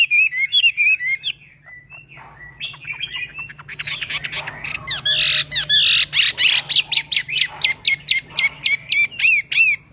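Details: Chinese hwamei singing in daily voice training: varied loud whistled phrases with sliding notes, then harsh squawky bursts, ending in a rapid series of repeated sharp rising whistles.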